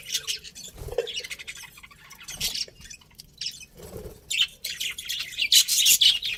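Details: Pet budgies, a breeding pair, giving high chirps and squawky chatter in clustered bursts, with low soft thumps between and a busier run of notes toward the end.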